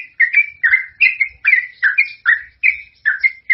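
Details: Yellow-vented bulbul (trucukan) singing its long rapid song, used to lure other birds. Clear warbled whistles in short paired bursts, each falling in pitch, with brief gaps between them.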